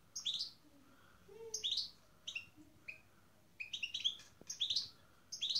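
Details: European goldfinch in a breeding pairing with a canary gives bursts of sharp, high twittering chirps, several clusters in quick succession, with brief silences between them.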